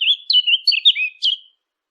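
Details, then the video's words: Small bird chirping in a quick, bright run of warbled notes that slide up and down, ending in a long thin trill, with clean quiet behind it. "نصف ساعة من صوت العصافير الجميل ، Yarım saat kuş cıvıltısı ، Half an hour of birds chirping"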